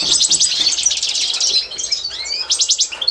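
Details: Constantine goldfinch, a European goldfinch kept for song training, 2024: rapid rattling trills of high clicks, then a pair of upward-sliding whistles and a fresh burst of fast metallic trilling.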